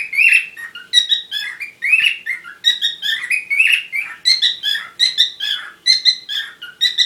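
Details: Steady parrot chatter linked to courtship, a long sequence of bright squeaks, rising chirps and buzzy slurred notes delivered in a lively, irregular rhythm.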